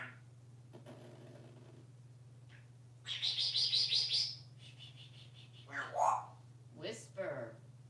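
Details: Pet African grey parrot indoors at home in Texas, making a new breathy whisper sound: a hissy burst of rapid pulses lasting about a second, followed by squeaky voice-like notes, while a person softly repeats a word to it.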